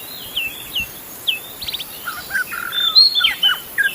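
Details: Wild magpie-robin singing in forest: a varied run of clear whistled phrases, some sliding down, others rising, with brief trills and quick buzzy clusters, delivered in short bursts over a faint steady hiss.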